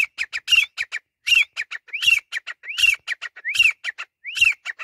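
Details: Teetar, the grey francolin, calling in a fast, insistent run: upswept shrill whistles about every 0.7 seconds, each flanked by clusters of short sharp piping notes, forming a continuous ringing chatter.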